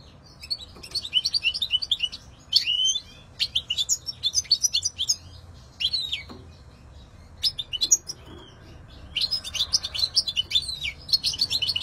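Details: European goldfinch delivering repeated bursts of quick, bright twittering and jingling notes separated by short pauses, with occasional clicks in between.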